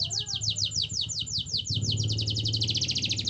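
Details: Canary lure song to make other canaries sing: a steady, rapid trill of repeated downslurred notes that quickens toward the end, over a constant low hum in the background.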